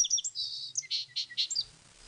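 A sparrow gives a quick burst of high twittering notes, then three fuller, evenly spaced chirps about a quarter-second apart.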